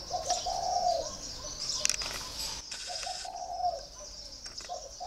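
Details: Spotted dove kept caged for four years, delivering drawn-out low coos with short lead-in notes, over steady high-pitched chirps of other birds and a brief rustle.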